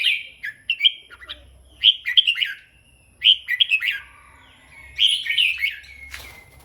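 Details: Red-whiskered bulbul giving loose, rambling song: quick whistled notes and short warbled phrases in bursts separated by brief gaps, ending with a sharp broadband rustle or click.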